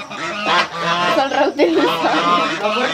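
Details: Geese at a rural house surrounded by animals keep up a steady chorus of nasal, wavering honks that overlap with one another.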